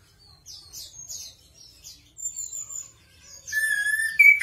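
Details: Singing chestnut-capped thrush (anis kembang): soft high-pitched chips and a drawn thin whistle build into a louder, fuller whistled phrase at the close.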